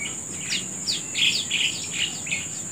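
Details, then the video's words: Morning birdsong in nature: a few bright, high chirps and short twittering phrases, loudest near the middle, with a constant high-pitched insect hum beneath. "Suara Burung Di Pagi Hari"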